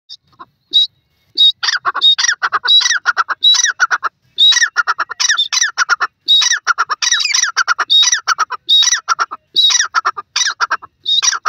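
A francolin gives harsh, grating calls in quick bursts, two or three notes each, repeated almost without pause for the whole stretch. No other sounds intrude.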